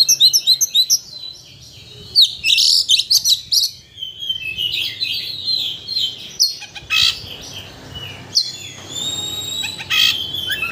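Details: White-rumped shama singing, used as a provocation so another shama unloads its whole repertoire: quick high notes, then loud harsh bursts, buzzy rattles and clear sustained whistles, with steady low background hum throughout.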